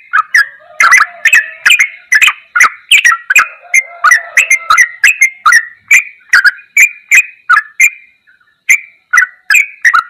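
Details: Yellow-vented bulbul in a ropelan goklikan song style: bubbly, gurgling whistled phrases around the mid range, delivered in quick bursts with sharp clicky attacks, roughly two per second, with a brief pause near eight seconds.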